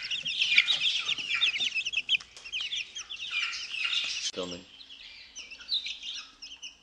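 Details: Fourteen-day-old chicks feeding on mealworms outside their brooder in the morning, giving many overlapping high peeps and trills, with a brief low thump midway before the cheeping resumes more sparsely.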